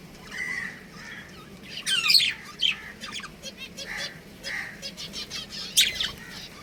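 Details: Budgerigars from a kept breeding pair: soft warbling notes first, then louder bursts of scratchy, high chirping in short, uneven clusters, mixed with gentle warbles over a low background hum.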